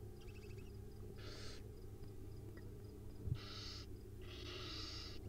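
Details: Wild owlets at dinner time on a nest camera: harsh, breathy hissing bursts, each about half a second to a second long, four in five seconds, the last ones loudest, over a steady low hum.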